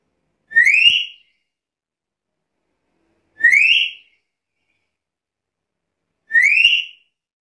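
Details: Vocal black-capped lory repeating a short, rising whistle three times at steady intervals of about three seconds, each note bright with strong overtones.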